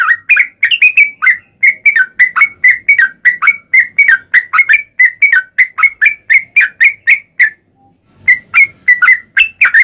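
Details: Sooty-headed bulbul in fighting-style, long rapid-fire song, used as a lure to make other bulbuls answer: fast chattering series of short, bright, slurred notes, about three a second, with a brief pause near the end.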